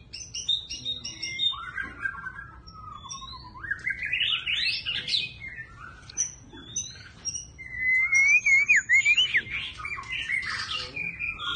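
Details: White-rumped shama with varied, continuously changing song: fluty whistles, rising sweeps and a zigzag warbled phrase, interspersed with thin high notes and brief gaps.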